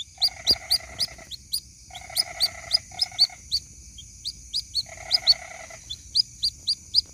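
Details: Young white-breasted waterhen calling its mother: rapid high peeps alternating with several rasping, nasal buzzy bursts lasting up to a second, plus a faint steady high whine.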